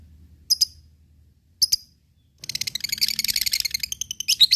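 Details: Lovebird ngekek sound for provoking rivals and training fighter birds: two lone high chirps with silence between, then a sudden dense, jittery high chatter of overlapping rapid notes.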